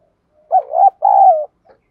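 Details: Spotted dove cooing in a 'thúc đấu' challenge style, meant to rouse other doves to coo: a stuttering, low, hollow cooing note runs straight into a longer sustained coo that slides downward at the end. The background is quiet.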